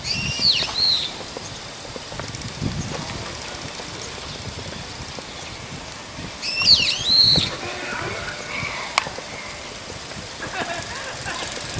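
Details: Brown-eared bulbul calling in the evening from a power line, giving two loud, shrill calls, each a high, sharply swooping note with a harsh edge, about six seconds apart over faint background noise.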